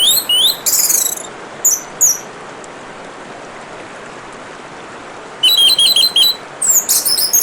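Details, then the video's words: Orange-headed thrush song with running water: short bright whistled bursts and a rapid string of clipped high notes, separated by a long pause, over a steady hiss of trickling water. "Kicauan Burung Anis Merah dan suara Gemericik Air"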